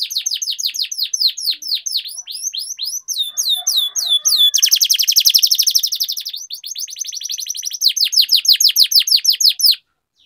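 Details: Canary song used to prompt other canaries to sing: fast rolling trills of high downward-sweeping notes, several per second, shifting into a buzzy rapid roll midway, then back to sweeping trilled phrases before stopping.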